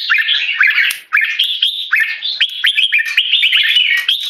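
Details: Tame captive red-whiskered bulbul, a male, loud clear keke calls while disturbed by humans in a stress test: bright chirpy notes with rising and falling slurs, quick irregular phrases repeated almost without pause.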